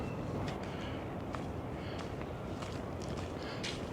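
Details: Footsteps crunch over a steady outdoor background wash at a beach at Kingscliff, New South Wales, with no animal voices present.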